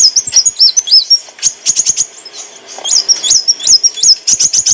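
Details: Olive-backed sunbird, known locally as kolibri wulung, singing clear song used as training and lure material for cage birds; thin high twittering phrases with short looping whistles and sharp ticking notes, steady and busy throughout.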